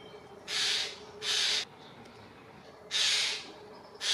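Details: Eurasian jays mob an eagle owl at Dannenberg (Elbe), Germany, on 31 May 2024, driving it off within two minutes. They give four harsh, rasping screeches, each about half a second long, at uneven intervals against a quiet background.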